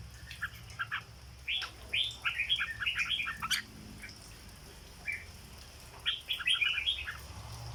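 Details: Red-whiskered bulbul kept in a cage, singing 'dok' style: two clusters of rapid, liquid whistled notes with a lone note between them, over a steady low hum.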